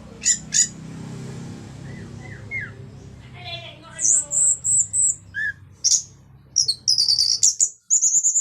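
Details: Orange-headed thrush singing in the 'ngeplong' gacor style meant to draw song from silent birds of its kind; after faint chatter come loud, very high sustained whistles and sharp chips in quick, uneven succession.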